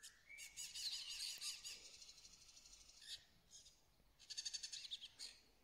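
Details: Moroccan starling singing a fast, buzzy, rattling chatter in two long runs, with short pauses and faint low background hum.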